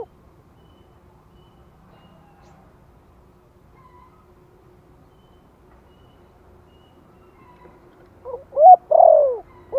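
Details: Near silence for about eight seconds, then a spotted dove in the gentle 'Thổ' lure voice, used to stir newly caught birds, gives a quick pair of loud arched coos at the end.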